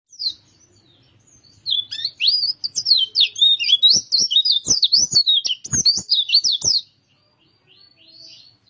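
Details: White-eye of the dakun type from Kintamani, Bali, singing a fast chattering warble. High twisting notes follow each other rapidly for about five seconds, then stop. Sharp clicks or taps sound underneath.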